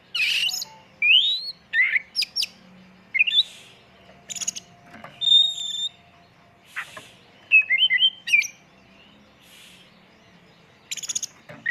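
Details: Oriental magpie-robin (kacer) singing as a pancingan lure, full isian tembakan. Scattered whistled phrases, upward sweeps and short rasping bursts, separated by short gaps over a quiet background.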